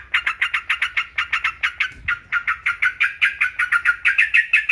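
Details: Continuous fast chatter from a yellow-vented bulbul, about four sharp buzzy notes per second, evenly spaced and loud throughout. It is used as a training recording to prompt birds to sing.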